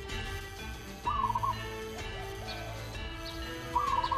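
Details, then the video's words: {'caption': 'Local Javanese zebra dove (perkutut) in song: a quick, stammering coo phrase, a pause of over two seconds, then a second matching phrase, with a steady hum underneath.'} "suara perkutut lokal manggung"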